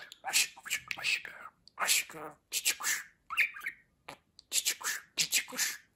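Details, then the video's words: A pet budgerigar's talking: a steady stream of scratchy, high, whisper-like syllables in speech rhythm, grouped into short phrases with brief gaps. "Konuşan Muhabbet Kuşu"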